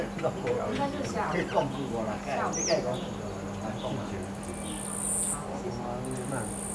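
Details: A common myna gives a run of varied chattering, gurgling and croaking notes with a couple of sharp high whistles, over a steady low hum.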